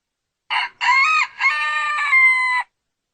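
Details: A cockerel's single crow of roughly two seconds: a short first syllable, then rising middle parts and a long, level, ringing final note.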